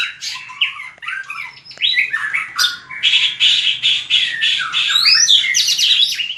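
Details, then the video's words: White-rumped shama competitive song for voice training: harsh buzzy phrases and rapid repeated notes, then high sweeping whistles near the end. "Luyện chòe lửa hót đấu/luyện giọng chòe lửa/kích lửa shama bird"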